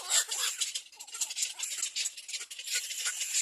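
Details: Nestling little black cormorants beg while being fed, producing a harsh, rattling hiss of overlapping rasping calls that pulses in rapid bursts without pause throughout.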